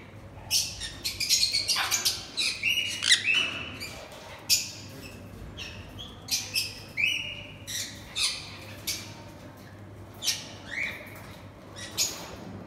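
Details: A pet sun conure (Aratinga solstitialis) mating: harsh, raspy squawks in irregular bursts.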